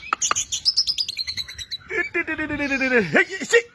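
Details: White-rumped shama in energetic nonstop song. A rapid series of sharp notes and short trills leads into a long, rich, harmonic note that swoops down and rises again, with one final sharp whistle.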